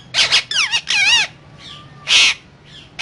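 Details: Parrot talking with raspy squawks and strongly wavering, voice-like warbles in quick succession, a faint steady tone, then another loud harsh burst.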